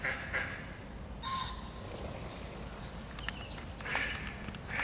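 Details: Mallard recorded 23 June 2021 giving short, nasal quacking calls in brief bursts at the start and near the end, over a steady low rumble of background noise.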